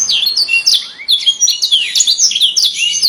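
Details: Canary singing, described as calling friends and fighting, with quick high twittering notes and short sweeping slurs packed into a dense, continuous run.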